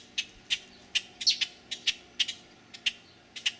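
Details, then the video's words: Juvenile black-crested titmouse at Resaca Los Fresnos, San Benito, Texas, on 6 June 2012: short, sharp high chips repeated irregularly about two to three times a second, with a brief cluster of quick notes near the middle. "Black-crested titmouse (juvenile)"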